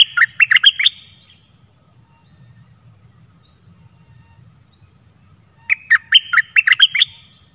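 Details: Wild cream-vented bulbul responding to a decoy bird in a trapping setup: quick bubbly chirps in a short run, several seconds of near quiet with low insect buzz, then another run of rapid tumbling notes.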